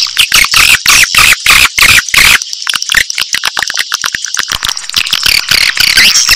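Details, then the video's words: Swiftlets' roosting call played to lure swiftlets: dense, loud bursts of sharp high chirps and twitters, pulsing in rapid runs about three per second, then breaking into a looser, scattered chatter. "Pakai Suara Inap Memanggil burung Walet"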